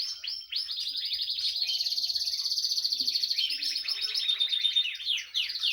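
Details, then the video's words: A female Timbrado canary sings a continuous, rapid metallic trilling song, high and bright, with fast rolling phrases and brief shifts in pitch throughout. "Female Canary Timbrado That Sings"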